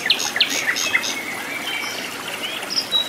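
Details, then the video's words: Flycatcher in the wild: a few sharp high chips open the phrase, followed by thin, drawn-out whistles and soft twitters, with more high whistled notes at the end. "KICAU BURUNG SIKATAN LONDO GACOR DI ALAM LIAR"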